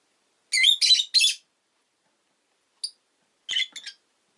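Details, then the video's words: Rosy-faced lovebird at home calling in a rapid run of three buzzy, grating chirps, then a single thin high peep, then a quick stuttering cluster of scratchy notes. "Lovebird Chirping Sounds"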